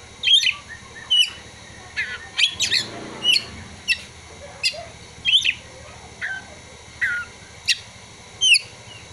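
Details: Oriental magpie-robin (kacer) song mixing in prinia and sunbird material: varied whistles and sharp chips delivered in short bursts every second or so, with a brief scratchy passage near the start.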